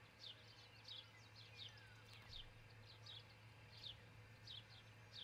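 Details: Nest camera in Charlo, Montana, early morning, 22 June 2018, where an osprey pair is raising a family; quick, high, descending chirps repeat at a fairly even pace, about 85 a minute, over a constant low electrical hum.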